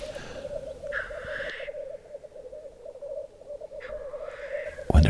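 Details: Black grouse males at a spring lek in southern Norway in April, during snowmelt, with dominant males fighting at the centre. They keep up a steady, low bubbling coo, broken twice by short harsh hissing bursts, while a man talks quietly over them.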